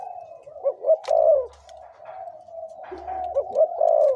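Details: Spotted dove decoy bird, aged 2–3 years, gives mellow rolling coos with short accented notes over a continuous low cooing background.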